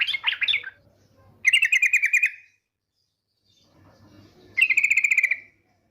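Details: Female yellow-vented bulbul lure call: a short chatter, then two fast buzzy rattling trills of about a second each, evenly pulsed, with a silent gap between them.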